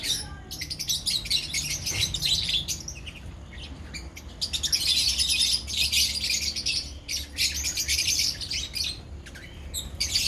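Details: Colony of lovebirds producing a near-continuous wall of shrill chirps and squeaks, swelling louder in the middle, about three notes a second.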